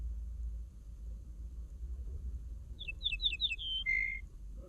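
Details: Common linnet song phrase after silence: several rapid downward-sweeping twitters followed by a level whistle and a lower pure drawn-out note, with a steady low rumble underneath.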